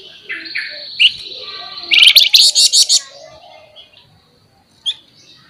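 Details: Flamboyan bird in lively song: a few thin whistled notes, then a loud run of six rapid harsh buzzy high pulses in 'nembak nyerecet' style, followed by quiet and one last short chip.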